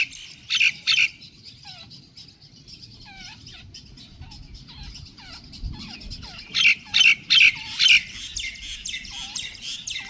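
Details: A jungle babbler chick in Pakistan begs for food while its mother feeds it: loud, harsh rasping bursts in two clusters, with a few thin downslurred whistles between, over a low background rumble.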